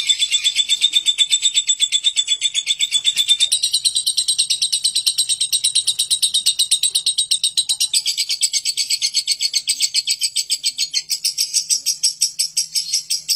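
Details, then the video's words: Lovebird giving its long, harsh 'ngekek' chatter: a steady run of rapid, scratchy high-pitched notes, about three per second, shifting higher in pitch toward the end, with no other sounds. "Suara Burung lovebird ngekek kasar dan panjang"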